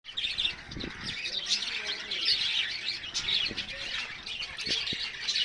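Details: Birds chirping on a terrace top, a lively clamour of many small voices: dense, overlapping high twittering and chirps pouring out without pause, with a few soft low thumps underneath.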